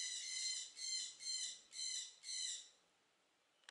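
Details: Captive southern screamer (Chauna torquata) at a bird garden in Upie, Drôme, France, giving five loud, harsh, honking notes in a steady rhythm, about two per second, then falling quiet.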